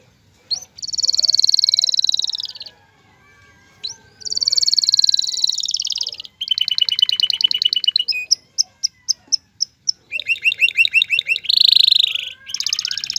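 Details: Male canary singing to stimulate a female to mate and build a nest: long rapid trills at high pitch, buzzy rolls and a run of separate sharp notes, alternating with short pauses.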